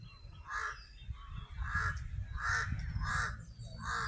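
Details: Crow at a beach resort in Lobo, Batangas, in the morning: a series of harsh, hoarse caws spaced roughly every half-second to second, with low wind rumble and faint background noise.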